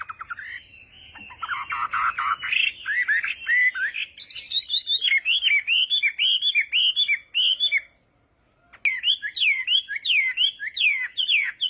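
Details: Chinese hwamei singing in a morning contest session: rich, warbled phrases building into rapid, looping whistled notes, a near-silent pause, then a fresh run of sharp, upslurred whistles.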